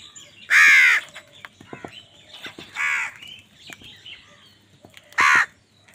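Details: Crow calling angrily during a fight with wild birds over food: a loud, grating caw, a softer mid caw and a final sharp caw. Brief clicks and chatter of other birds fill the pauses.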